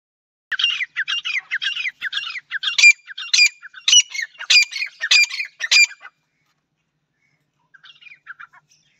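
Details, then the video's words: Male partridge gives loud, harsh, grating calls, a run of about ten rapid squawking notes over five seconds, then a few fainter notes after a pause. "male teetar ki awaz"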